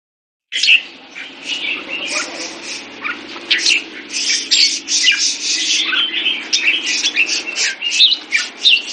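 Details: Caged red-whiskered bulbul kept on a special bird food diet sings a dense, varied stream of loud whistled and chattering phrases after a brief silence, over a low steady mechanical hum.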